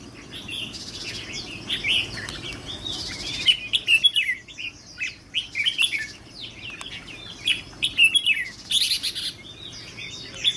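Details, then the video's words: Caged red-whiskered bulbul, a trainee lure bird with red 'mí lửa' ear patches, singing bright, warbled chirping phrases in quick bursts, with a short pause near the middle and louder, denser notes toward the end. "Chào Mào Mồi Tập Sự 2 ''MÍ LỬA''"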